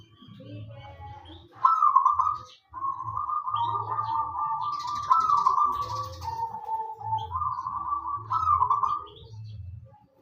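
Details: Local wild-type zebra dove in full song, used as a lure to get other doves singing: a series of rolling, trilled coos, some rising then falling, repeated with short gaps, over a steady low pulsing hum.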